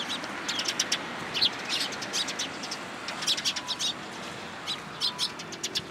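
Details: Several sparrows in a cherry tree at a Tenmangu shrine on 24 March 2023. Short, bright chirps come in loose clusters, with pauses between the groups, over a steady low hiss.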